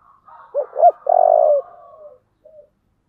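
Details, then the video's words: Spotted dove singing in the 'giọng thổ' style: two short rising coos, then a long buzzy vibrating note, followed by softer drawn-out trailing notes and one last faint coo. "cu gáy giọng thổ"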